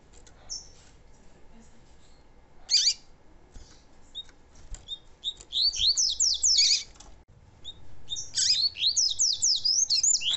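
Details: Chestnut-bellied seed finch, a tutor male singing to train and stimulate other seed finches to sing: rapid bursts of high, sweet sliding notes tumbling downward in quick runs, pausing between phrases.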